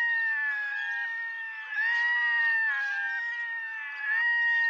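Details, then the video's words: Red-throated diver giving continuous cat-like wailing, long level mewing notes with slight pitch rises, sustained with barely any pause. "Red throated diver"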